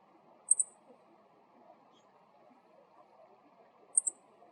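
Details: Male Meadow Bunting giving its ground call, a short, very high double chi-chi note, heard twice about three and a half seconds apart over a faint low background hum.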